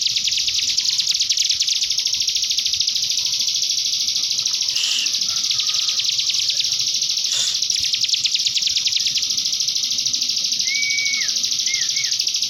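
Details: Common iora singing a canary-like master song to prompt young birds to sing: continuous rapid, shrill trilling throughout, with a couple of soft clicks and short whistled slurs near the end.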